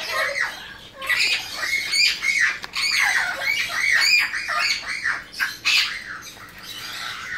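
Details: Loud, continuous raspy squawking from two captive, hand-raised blue-winged macaws, a male and female born in 2017, the rough calls tumbling over one another almost without pause.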